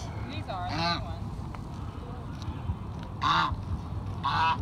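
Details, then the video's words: Geese calling while being fed: three loud, harsh nasal honks, at the start, around three seconds and near the end, over a low rumbling background and faint voices. "Feeding Geese"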